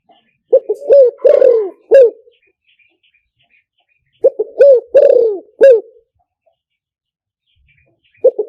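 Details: Spotted dove call for luring with a speaker: two full cooing phrases about four seconds apart, each with short notes, a rising coo, a long falling coo and a clipped end note, plus the start of a third.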